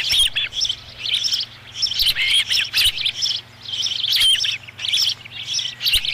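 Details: Osprey nest at Dunrovin Ranch on 13 July 2016, fifth fish delivered. Clusters of thin, squeaky chirps rise and fall in loudness, with a steady low hum underneath.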